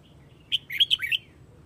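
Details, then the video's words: Red-whiskered bulbul from Hue calling the flock, one short phrase of five or so fast, ringing whistled notes that rise and fall, preceded by a faint soft note. "Chào mào Huế gọi bầy"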